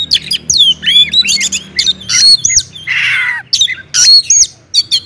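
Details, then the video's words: Oriental magpie-robin, loud song meant to provoke other magpie-robins into singing; varied whistled notes sweeping up and down, interspersed with a harsh buzzy rasp, in short rapid phrases, with a low hum beneath. "kacer gacor ngeplong SUARA KERAS BIKIN KACER Lain NAIK EMOSI,, PANCINGAN KACER AGAR RAJIN BUNYI"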